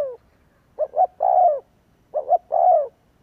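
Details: Two phrases of a spotted dove lure coo, meant to prompt other doves to answer. Each phrase has two short mellow notes leading into a longer, gently descending coo, about one and a half seconds apart.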